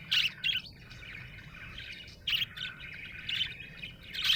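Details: A happy budgie chirps in quick bright bursts, loud notes at the start, half a second, around 2.3 and 3.4 seconds, linked by a continuous soft warbled chatter.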